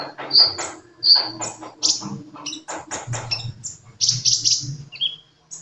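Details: Sunbird in lively song: high sharp chirps and thin whistled notes in quick irregular bursts, with a few loud emphatic notes and faint low background hum.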